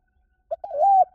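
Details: Decoy call of a spotted dove for luring birds: a short soft note, then a long coo swelling and rising slightly before stopping.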